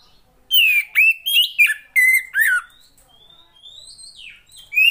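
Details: Female Oriental magpie-robin kept to stimulate males to sing: a quick run of six or seven loud whistled and squeaky notes, some falling steeply, then a soft thin rising-falling whistle and one final loud note.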